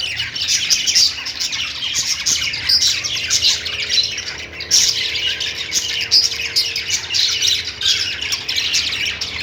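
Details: Steady chorus of chirping lovebirds: high, buzzy squawks and twittering notes overlap without break, with brief louder bursts standing out near the middle and end.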